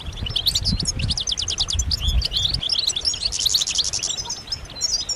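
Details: Collective European goldfinch chatter of mating calls, meant to excite males into singing; fast, sparkling twitters and a buzzy burst midway, plus low thumping noise in the first half.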